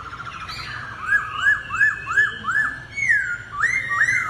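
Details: Laughingthrush singing in a duel: a series of five or six arching whistled notes repeated about every third of a second, followed by louder rising slurs.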